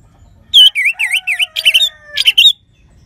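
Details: Orange-headed thrush (anis merah) in loud 'gacor' song used to rouse other birds: a bright downslurred whistle, then a run of buzzy rising-falling notes, harsher chattering phrases and a final whistled figure; a faint lower whistle runs beneath.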